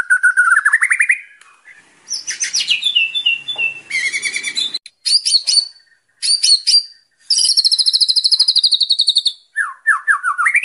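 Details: Varied white-rumped shama (murai batu) song for training young captive birds: rising whistled runs, high rattles, sharp chirps and a long high trill, broken by short pauses, ending in rising whistles.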